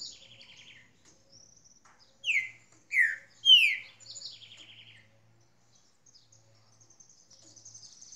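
Green-winged Saltator giving three loud, slurred, downward whistles in quick succession, framed by softer rattling trills, with faint high calls of other birds behind.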